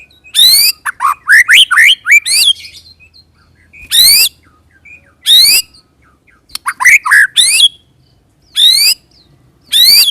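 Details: Murai batu (white-rumped shama) lure song for provoking rolling replies: clusters of fast sweeping whistles and harsh rising bursts, separated by brief silences, sounding over roughly ten seconds.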